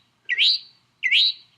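Northern mockingbird copying an eastern towhee: two bright, upslurred whistled notes, each rising sharply, given about three-quarters of a second apart. Nothing else stands out.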